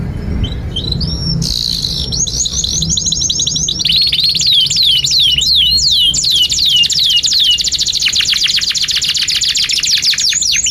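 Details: Canary master song for teaching young canaries and stalled singers: faint notes at first, then a rolling trill, a series of looping falling whistles and a long fast buzzy trill to the end.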